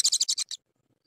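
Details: At a Japanese tit nest in the evening, on the day the second egg was laid, a male suspected to be an unpaired bird courting the female: a quick run of six harsh, buzzy high notes, about ten a second, then silence.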